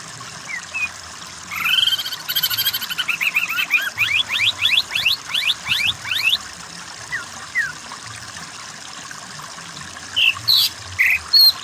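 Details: Varied greater green leafbird song used as a tutor recording for other birds: sliding whistled notes rising and falling in quick succession, then scattered chirps and a final short burst of sharp notes.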